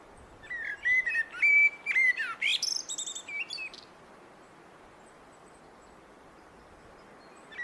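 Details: Blackbird song: a fluted, level whistled phrase that slides down, then breaks into a rising, squeaky high twitter, all within about four seconds, followed by quiet.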